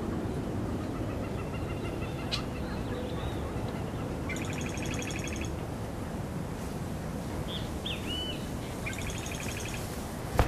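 Scarlet-headed Blackbird giving short bursts of rapid, bright trilled notes and a few thin whistles over a steady low rumble of wind-like background noise.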